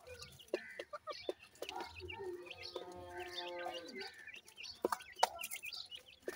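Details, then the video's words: Francolin chicks, known locally as teetar, give high, thin peeps that slide up and down. A steady buzzing hum with layered tones runs through the middle, and sharp clicks punctuate the calling. "wonderfull pheasant teetar chicks,teetar calling bird"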